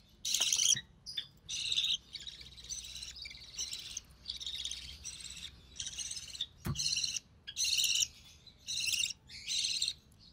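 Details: Budgerigar chick of recessive pied type, the mother feeding it; a long series of scratchy high rasps of varying loudness, about one per second, with a faint thump near the middle.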